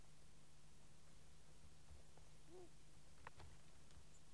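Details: Long-eared owl at its nest in Kielder, Northumberland, picked up by a microphone set by the nest: one brief, low, arched hooting note, with a steady electrical hum and a few faint clicks.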